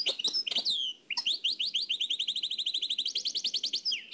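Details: Nightingale from Oued El Alaig, transferred from an old cassette: a few sharp downslurred whistles, then a long, steady run of rapid repeated chirps that speeds into a high, fast rattle.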